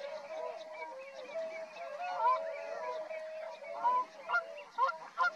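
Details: Tundra swan flock at Rosedale and Munson near Drumheller, Alberta, producing a steady murmur of overlapping calls, with a few clearer upslurred honks rising above a broad hiss of background noise.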